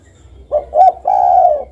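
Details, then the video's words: Single spotted dove phrase: a short coo, a slightly higher short coo, then a long level mellow coo. "suara burung derkuku"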